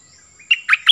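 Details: Short phrase from a Cream-vented bulbul decoy bird in high spirits: a soft lead-in note followed by three loud, rich, gurgling notes delivered quickly.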